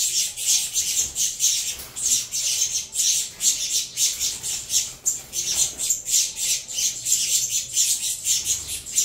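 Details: Captive saffron finch nestlings of a Venezuelan-line cross make a begging racket at feeding, a steady stream of rough, hissing squawks in fast repeated bursts throughout.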